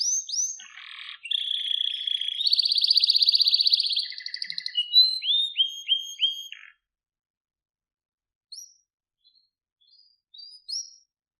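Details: Canary (Serinus canaria) song: a high, varied run of bright whistles, a fast buzzy trill, then repeated downslurred notes, with a few soft chirps after a pause.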